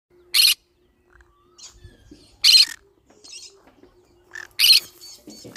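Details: Green-cheeked conure giving harsh, broadband screeches, three short loud bursts spaced about two seconds apart, with faint scratchy rustling and soft chatter in between.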